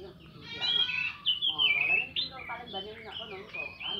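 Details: Morning ngeplong singing of an orange-headed thrush, meant to get silent thrushes singing: loud slurred whistles and rich warbled phrases in quick succession, some notes sweeping downward, with a softer chattering tail.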